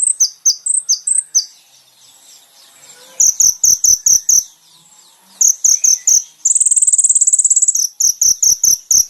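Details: Master song of kolibri ninja for training caged birds: high chirps and downslurred whistles in rapid series, several paused phrases, and one long buzzy trill about a second and a half long.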